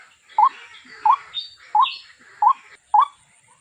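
A waterhen gives five loud, short, upslurred notes, about one every two-thirds of a second, over faint chattering birds and a steady high insect hum.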